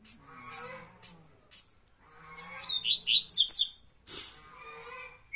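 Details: Coleiro baiano (double-collared seedeater) giving a tuituí-style song: a brief loud flurry of high, slurred, rising notes midway, preceded by thin high chips and backed by soft lower chatter.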